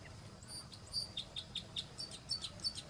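Red crossbill giving a quick run of short, sharp, high chirps, about four per second, with a few thin higher notes over a low background hum.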